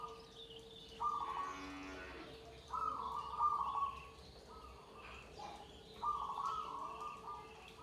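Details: Several zebra doves (perkutut) singing together: flat cooing phrases around one pitch, separated by pauses, with a brief rapid trill, beneath a steady low hum.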